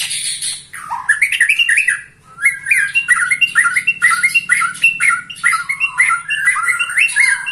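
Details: A 21-year-old white-rumped shama sings a steady rhythmic series of bright whistled notes that rise and fall, repeated many times in quick succession after a brief pause.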